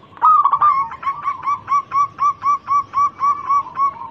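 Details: Lure song of a local zebra dove, praised as a keen, quick singer. A loud stuttered opening gives way to evenly spaced cooing notes, roughly three per second.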